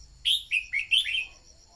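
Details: Single lively phrase from a red-whiskered bulbul decoy recording meant to stimulate singing: four loud, bright whistles dipping and rising in quick succession, then a softer trailing note, over a faint constant whine.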